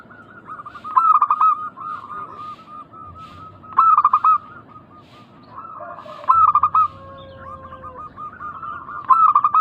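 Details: Local zebra doves in Indonesia, a calling chorus used as a lure so other doves reply. Loud bursts of rapid stuttering coos come roughly every two and a half seconds over a continuous high tone.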